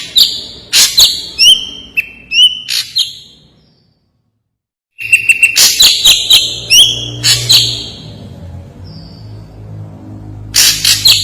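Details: Ashy drongo, sharp and clear vigorous song: clusters of loud high piercing chips and slurred whistles, a silent pause of about a second, then more rapid chattering phrases and a short soft whistle, with a faint low hum.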